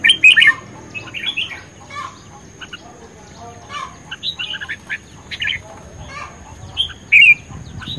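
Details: Red-whiskered bulbul in a singing duel, recorded May 2020, gives loud chirpy warbled bursts at the start and again near seven seconds, with softer clipped notes from other birds scattered between.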